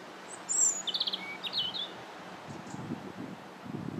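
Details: Winter song of a robin on January 21st: a quick cluster of high, sweet warbled notes near the start, then rustling and low crackling noise for the rest.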